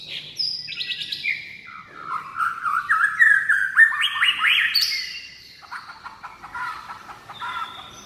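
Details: White-rumped shama singing a lively, varied phrase: rapid stacked whistles and sweeping notes climbing and falling, bursts of quick trills and chirps, loud and clear against a quiet background.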